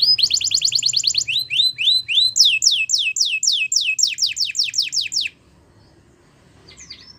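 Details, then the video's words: Training song of a Waterslager canary: a fast even trill, then falling whistles and a long rhythmic series of steep sweeping notes lasting about five seconds, ending abruptly in near silence with a faint chirp at the close. "Waterslager Canary training Songs"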